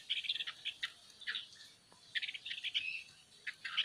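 A bird sings in bursts of high, scratchy chirps and twitters, grouped in quick clusters with brief pauses between phrases.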